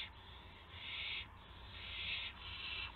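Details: Owl recorded at 8 PM on 18 March 2016 during a gopher delivery: three long rasping, hiss-like screeches, each nearly half a second or more, with a low background hum.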